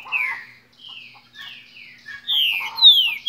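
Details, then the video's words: Green-winged saltator singing the song style known as "Cadê meu boi": a series of clear, loud whistled phrases, each sliding downward. Short pauses separate the phrases, and the last ones are the strongest. "Canto Cadê meu boi"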